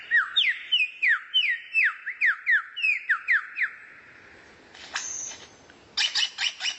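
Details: Rare bird recorded as tutor material for kacer: a fast run of clear downslurred whistles about four per second, then a pause, a buzzy rasp and a quick burst of ticking notes.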